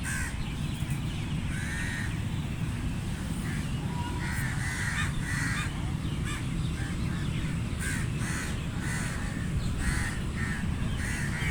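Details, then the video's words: Crow cawing repeatedly, harsh calls coming in loose groups throughout eleven seconds, some louder and closer together, over a dense low-frequency rumble. "Crow Sounds Loud | Crow Caw Sound Effect | Crow Sound Effect"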